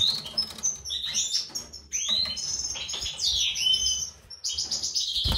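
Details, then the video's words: European goldfinch breeding pair, a white-throated mutation male with a classic female, giving bright twittering song of quick chirps, upward and downward sweeps and buzzy notes with short pauses, over a low rumbling background. "Chardonneret mutation reproduction mâle gorge blanche et femelle classique"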